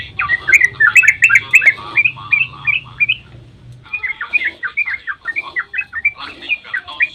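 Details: Rapid dawn 'ropel' of a sooty-headed bulbul, meant to make other bulbuls respond; tumbling run of bright, bubbly notes, a one-second break, then the warbling resumes at the same fast pace, with low hum beneath.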